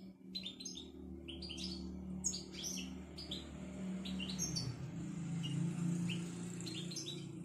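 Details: Betbeta twittering of a Moroccan European goldfinch: rapid high chirps and short trills in loose, uneven runs, set against a steady low mechanical hum that swells toward the end.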